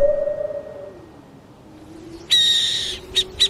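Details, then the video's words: After a stretch of only a low wavering drone, an owl lets out one raspy hissing screech, followed by two short, sharp high notes. "SOM DE CORUJAS"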